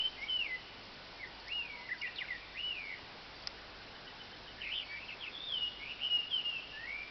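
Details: Birds seeming to chatter to one another give soft, wavering whistled warbles and short chirps in scattered bursts, over a steady hiss of background noise.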